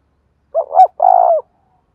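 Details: Spotted dove giving one đồng thổ style coo phrase: a short low note, a louder rising-falling note and a sustained buzzy hoot lasting about half a second, no other sounds.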